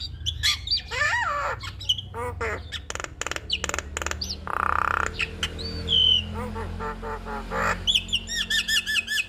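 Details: Jalak kebo (black-winged myna) pouring out a 'gacor' master song full of fill-ins for other mynas to imitate: wavering whistles, crisp clicks, a loud noisy squawk and trilled chatter toward the end.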